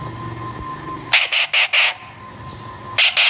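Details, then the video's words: Baby Alexandrine parakeet squawking loudly, four rough, raspy calls in a fast run and then two more after a short pause, with a quiet steady hum behind. "Alexander Parrot Baby Sound"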